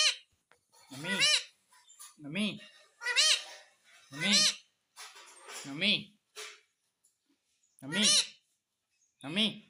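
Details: Indoor pet ringneck parrot repeats short rasping, harmonic word-like calls roughly every second or two, mixed with fainter squeaks and clicks in a small room.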